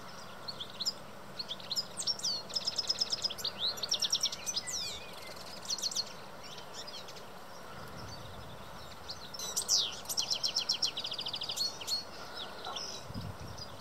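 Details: European goldfinch singing in courtship: long runs of rapid, liquid, twittering and buzzy notes, high-pitched and jumbled, in two extended bursts with a pause between, over a low continuous background hum.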